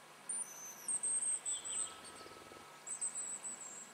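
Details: A hazel grouse at a spring lek on the Yenisei Ridge, Russia, gives very high, thin, drawn-out whistles in two short phrases, with a brief low rumble in between.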